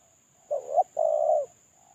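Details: One two-part coo from a moulting spotted dove calling solo, used as a lure: a short wavering note rising at its end, a brief gap, then a longer flat coo. A constant faint high whine persists.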